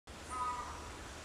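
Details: A Keel-billed Motmot (Electron carinatum) in Costa Rica gives a single brief, nasal, croaking note against a steady background hiss.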